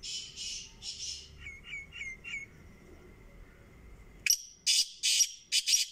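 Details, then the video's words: Black francolin (kala teetar) call: harsh, grating notes in quick rhythmic bursts, softer scratchy phrases first, then a run of loud, screechy rasps. "kala teetar"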